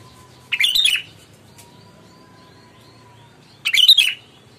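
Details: Sooty-headed bulbul lure recording, loud and clear, meant to provoke answering birds: two bubbly whistled phrases about three seconds apart, each about half a second long, over a quiet background with a faint steady tone.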